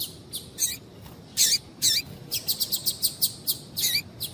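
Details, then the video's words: Female double-collared seedeater calling to excite a male into singing: a quick series of sharp, high chirps, some spaced and others in a rapid run of about eight notes near the end, over quiet background hiss. "Piado de fêmea de Coleiro Chamando Quente para Esquentar Coleiro tui tui"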